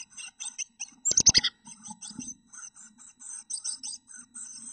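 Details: A pair of chickadee nestlings in a nest box make rapid, high, squeaky chirps in short bursts. A sharp knocking thud comes early on, followed by continued twittering with brief gaps.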